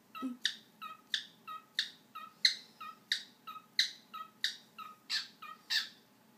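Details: A pet parrot named Nena, said to be dancing and beatboxing, gives harsh, breathy pops repeated steadily about every two-thirds of a second, ten in a row, over a faint low hum.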